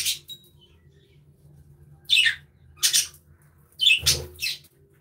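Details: Budgerigars in an aviary give a few harsh, scratchy squawks spaced about a second apart, separated by near silence with a faint low hum underneath.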